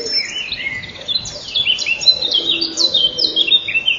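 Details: Inside a common kingfisher nest tunnel at 07:57 on 12 May 2013, the female heard the male and tried to leave while he crowded in. A dense jumble of high, falling chirps and whistles fills the recording.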